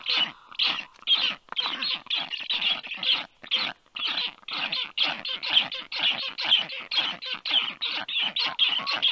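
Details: Black stork youngsters at the nest on a July afternoon in 2022, reacting to a strange stork landing above: long, dense run of harsh screeching calls, brief gaps early on, then near-constant rapid calling.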